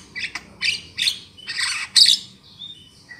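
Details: Lure recording of Javan myna for trapping birds: five rasping, buzzy squawks spaced unevenly about half a second apart, ending in thin whistled fragments.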